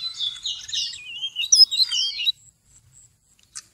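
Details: Seychelles magpie-robin used to attract birds for trapping, November 2016: a fast, warbling tangle of high whistles and twittering notes for about two seconds, then quiet with a single brief chirp.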